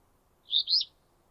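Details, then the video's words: Alder flycatcher, a Newfoundland breeder of wet brushy habitat, giving its buzzy two-part 'free-beer' song: a rough burred note followed by a slightly higher buzzy note, all within half a second. "so their song is a buzzy free beer and I will play that for you now"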